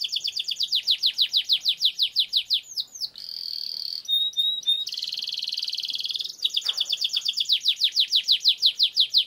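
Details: Canary with a long roll, played as a training lure; a run of rhythmic downslurred notes about three per second, brief whistles, dense buzzy trills, then the repeated downslurred phrase returns.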